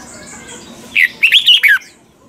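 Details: Red-whiskered bulbul singing as a training model for caged birds in a mature-forest double-note style: after a second of quiet hum, one loud warbled phrase of four or five rising and falling whistled notes.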